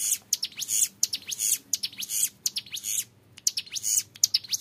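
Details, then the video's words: Young Bar-winged Prinia in full song, long 'ngebren' style used as a tutor recording: bursts of high, thin, buzzy notes with sharp up-sweeps, in clustered phrases separated by brief pauses. "CIBLEK GUNUNG MUDA GACOR NGEBREN PANJANG SUARA JERNIH"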